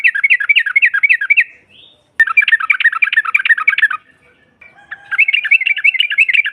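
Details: Ngropel chatter by a female yellow-vented bulbul to stir rivals: three bursts of fast, bouncing bubbling notes separated by short pauses, with a single sharp click between the first two.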